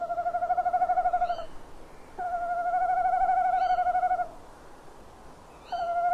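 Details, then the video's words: Male tawny owl calling on a branch at a nest box at 18:41 on 27 February 2016 gives long, quavering hoots of one to two seconds after short gaps, as the female flies at him wanting prey; faint chirps of another bird in between. "Bosuil M roept op tak"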